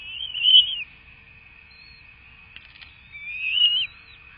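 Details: Florida bald eagle nest at feeding time, 05/03/2024: two loud, high, wavering whistled squeals, the second rising then falling, separated by a short pause, with a steady electronic hum throughout.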